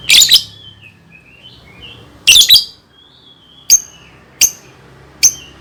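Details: Lovebird song to teach young birds: two harsh chattering bursts with warbling whistles between, followed by three brief high ticks about a second apart.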